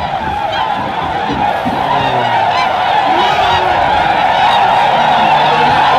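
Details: Tundra swan flock startled by a deer at Aylmer Wildlife Management Area, Ontario, in March; a steady roar of countless overlapping honking calls, dense and unbroken, with a few lower bugling notes standing out.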